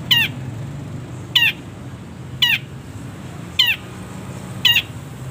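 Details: Long-tailed shrike used as a training model for caged birds: five short, harsh, harmonic notes that sweep downward, evenly spaced about a second apart with long pauses, over faint low hum.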